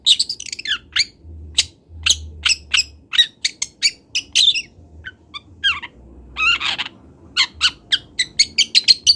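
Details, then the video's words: Juvenile long-tailed shrike from Kendal practising its song for a training master: short sharp high clicks and chirps, a few scratchy rasping phrases, then a steady run of rapid ticking notes near the end, with a faint low hum behind. "MASTERAN CENDET TROTOL BELAJAR BUNYI"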